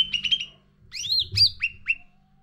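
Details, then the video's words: Sooty-headed bulbul (cucak ranting), a caged bird's lure song for training: quick stuttered notes near mid pitch, then rising swooping whistles and short falling slurred notes, clear and bright. "Pancingan Cucak Ranting Gacor Isian Full"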